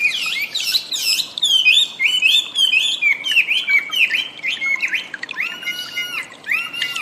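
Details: Chinese Hwamei (wambi) recorded as cage-bird training material: a burst of high chirps, then a series of melodious slurred whistles and a few clear, level whistled notes.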